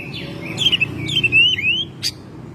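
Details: Oriental magpie-robin kept at home, recorded in May, singing in lively gacor style: a short phrase of clear whistled notes sliding between middle and high pitch. The phrase ends with a sharp high click, over a low background hum.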